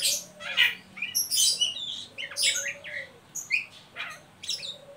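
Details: Oriental magpie-robin producing the ngeriwik call to lure young birds into singing: bright chattering chirps and buzzy notes in irregular bursts, roughly one per second, over a faint low whistle.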